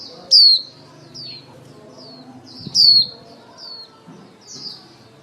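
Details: Female lure white-eye calling the flock, recording used for trapping; thin, high whistled notes sliding downward, about seven in five seconds, two of them louder and sharper, over a faint low hum.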